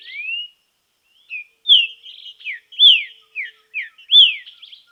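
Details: Green-winged saltator song during training in nature: a rising whistle, then loud clear whistled phrases of slurred notes, mostly falling, repeated with short gaps over several seconds.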